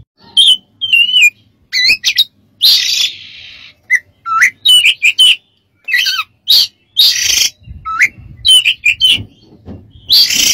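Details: Oriental magpie-robin masteran song for training other birds: warbled wavering whistles, quick chips and repeated harsh buzzy bursts, a dense varied stream of phrases.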